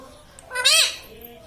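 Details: Pet parrot taught to talk, said to be saying "mummy papa"; a single loud, harmonic rising-then-falling vocal syllable about half a second long, with quiet room background before and after.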